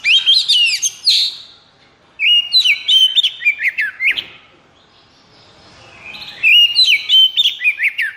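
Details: White-rumped shama in high breeding condition, a caged bird, pours out three dense bursts of fast chattering whistles and rolling trills, each about two seconds long with a short gap between them.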